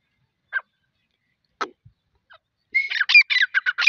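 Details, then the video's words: Female grey francolin (teetar): a few soft isolated notes, then a rapid burst of harsh, scratchy, high calls, about six in a second, with no other sounds. "Teetar ki awaaz | Teetar ki boli | gray francolin teetar sound | Female teetar awaz"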